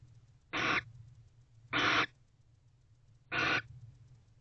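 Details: Barn owls back at their nest box at 9:25 pm, 24 November 2023: three loud, rasping screeches, each about a quarter second long, repeated roughly every one and a half seconds over a low steady hum.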